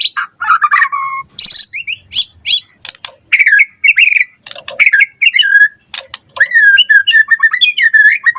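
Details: White-rumped shama (murai batu) in gacor full-isian song, used to prompt other shamas to answer: rapid varied whistles, sweeping trills and harsh buzzy bursts, ending in a run of rising and falling fluty notes.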